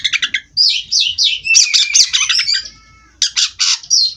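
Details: White-rumped shama (kacer) singing continuously in a rolling style: bursts of fast, varied high chirps and squawky notes, a brief pause, then rapid repeated phrases resuming.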